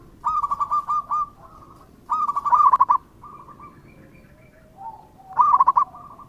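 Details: Local zebra dove giving three loud rolling coo phrases about every two and a half seconds, each trailing into softer repeated coos, with quieter low notes between.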